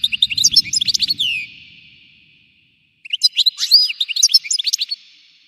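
A European goldfinch sings rapid, tinkling twitters and liquid trills in two bursts separated by a brief pause, high-pitched and bright.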